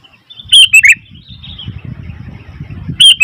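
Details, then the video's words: Noisy Sooty-headed bulbul giving two short bursts of loud, clipped chirping notes, early and again at the end, with a soft low rumble of background noise between them. "Suara Burung Kutilang ribut"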